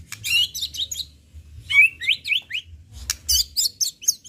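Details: High, thin, twittering phrases from a white-rumped shama, rapid scratchy notes given in short bursts separated by brief pauses.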